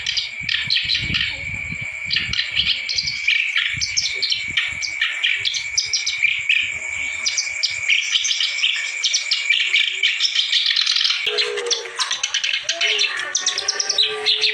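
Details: A clamorous reed warbler sings hard, used to encourage birds that have gone quiet: rapid harsh chattering phrases over a steady thin high tone, with some low knocking early on.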